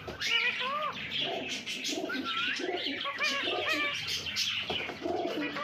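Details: Talking parrot producing speech-like babble: rapid series of warbled, curving tonal syllables and rasping bursts, coo-like mid-pitched notes woven through, steady loudness with brief pauses.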